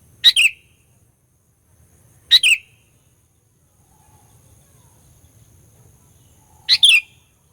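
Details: Sooty-headed bulbul song for provoking rivals, three short two-part phrases at uneven gaps of roughly two to four seconds, each a sharp note and a slurred whistle, faint low rumble between.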